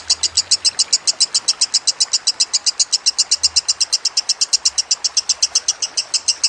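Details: Master recording of a lovebird over running water: a steady, fast series of piercing, buzzy high notes, around seven per second, holding a constant pitch throughout, with soft low thumps in the background.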